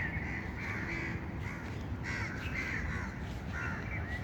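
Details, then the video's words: Outdoor birds give a run of harsh, grating calls in short bursts, roughly one every half second to a second, over constant low-pitched background rumble. "birds chirping sound"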